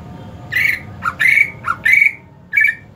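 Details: Greater green leafbird in the hot season delivers five rapid notes, harsh flat whistles alternating with short lower notes, then a final clipped note after a pause.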